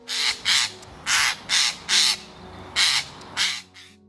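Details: Eurasian jay in the UK giving seven harsh, rasping screeches, one of its most distinctive calls, each about a third of a second, in quick uneven succession, with faint music underneath.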